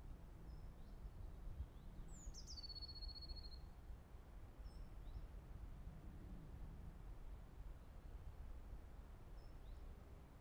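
A blue tit gives one high, thin song phrase: a sliding note dropping into a quick silvery trill, with faint high ticks, over a steady low rumble.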